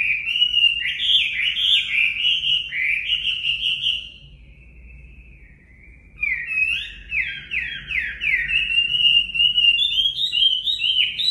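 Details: Chinese hwamei in captivity, singing for voice training: vigorous rolling whistled phrases, a quieter drawn-out note in the middle, then renewed rapid up-down whistling.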